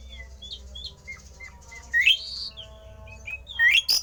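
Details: Javan pied starling giving a rare, odd song meant to provoke other starlings into singing: short scattered whistled notes, then a louder buzzy rising phrase near two seconds and a sharp rising whistle burst near the end, over faint low hum.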